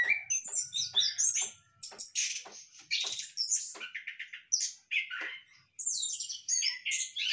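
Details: Orange-headed thrush in a hanging breeding cage gives bursts of bright whistles and buzzy chirps separated by short pauses, with a thin steady whistle early on.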